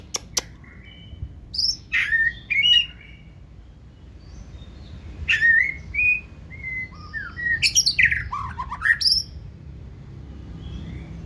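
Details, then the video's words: Caged white-rumped shama of the 2024 season, singing in the 'forest voice' style and lifting its tail high; clear whistled phrases mixed with harsh, scratchy bursts, delivered in three spaced bouts with quiet gaps and low background hum. "Chòe lửa bông hót giọng rừng"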